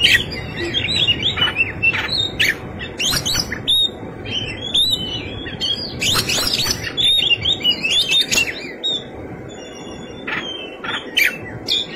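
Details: White-rumped shama fighting song full of rich fill-in phrases: bursts of sharp chirps, rapid trills and sliding whistles, some very high and buzzy, with brief pauses between loud outbursts over constant low rumbling noise.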